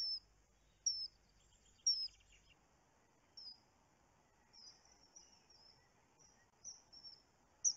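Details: Common kingfisher recorded on a webcam on 29 June: thin, piercing high whistles, single or doubled, at irregular intervals about once a second, with short pauses and a faint background hiss.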